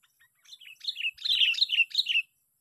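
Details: Sooty-headed bulbul caught by luring, heard on the sixth day of a contest: a run of bubbly whistled phrases that swells from soft opening chirps to loud, rapidly repeated high-to-low slurs over about two seconds.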